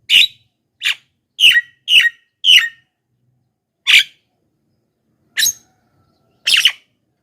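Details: Javan myna calls used as a lure for wild mynas: eight loud, harsh, broadband squawks, some in quick pairs, others spaced by a second or more, with silence between.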